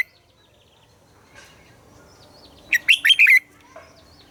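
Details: Red-whiskered bulbul morning song used as a training lure for caged birds: a brief, loud phrase of four or five quick warbled whistles after a quiet stretch with faint distant chirps.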